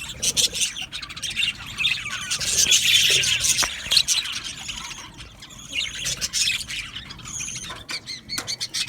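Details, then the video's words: Aviary budgerigars singing and chirping, a thick chorus of high squeals and warbling chatter that swells, thins out midway, then returns in sharp bursts. "Australian Budgies Singing and chirping sounds"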